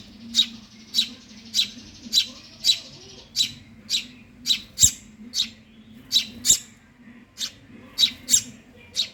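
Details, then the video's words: A long, rhythmic series of high, sharp begging chirps from a hungry Eurasian tree sparrow chick, about two per second, with two loud clicks and a low hum in the background. "suara anak burung gereja lapar"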